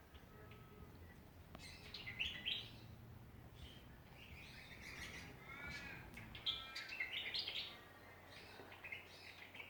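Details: Australian songbirds in a backyard in Ballajura, Western Australia: several birds sing at once, with bursts of warbled, harmonic notes and short chirps overlapping throughout, over a low steady background hum that stops near the end.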